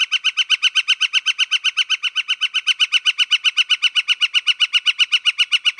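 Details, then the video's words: Northern flicker in Wisconsin calling a long, perfectly steady run of bright, ringing, evenly spaced notes, roughly four per second, throughout, with no pause and no other sounds. "Northern Flicker"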